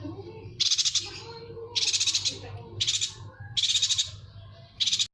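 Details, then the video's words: Yuhina masteran recording for tutoring songbirds: five harsh, buzzy rattles of fast pulses, each roughly half a second long, repeated about every second with brief gaps, over a faint low hum. "MASTERAN AMPUH BURUNG YUHINA"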